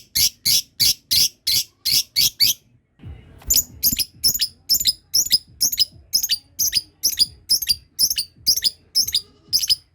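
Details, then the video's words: Lovebird practising its long ngekek trill, other birds set off calling: loud, buzzy, rasping bursts repeated evenly, a brief pause with a knock, then a faster, sustained series of shrill chattering notes. "Love bird belajar ngekek ,yang lain dengar langsung terpancing bunyi"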